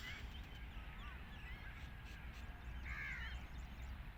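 A black francolin gives harsh, grating notes, a few faint ones early and a louder burst near the end, over a heavy low rumble of wind.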